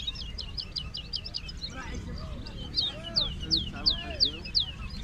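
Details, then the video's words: European bee-eater calls: quick bursts of high, liquid, down-slurred notes, then a steadier run of about three per second, over a low background rumble. "طائر الولوال"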